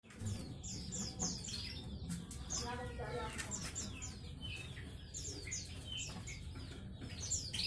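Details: Group of canaries singing together in ombyokan style; busy overlapping twittering with rapid trills and sweeping whistled notes, a low murmur of voices underneath.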